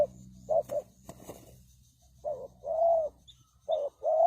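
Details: Spotted dove used as a decoy to lure wild birds, giving short cooing notes around the middle pitch range, a brief pair then longer drawn-out coos, with faint clicks and low background hum between phrases.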